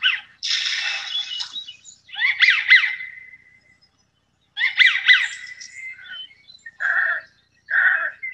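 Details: American Wigeon pair in the Gulf Islands: the female gives harsh, rasping quacks, mixed with the male's squeaky, rubber-duck-like whistles in quick wheezy bursts.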